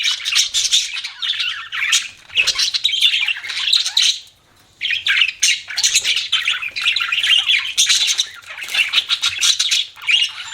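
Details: Budgies kept as pets give busy, scratchy chirping and warbling chatter that runs nearly nonstop, broken by one short quiet gap midway.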